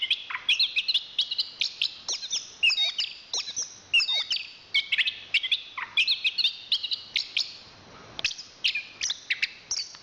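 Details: Chestnut-capped thrush (anis kembang), national champion songbird of Southeast Asian forests, giving a sustained stream of very high sharp chirps and occasional deep downslurred whistles, steady and energetic.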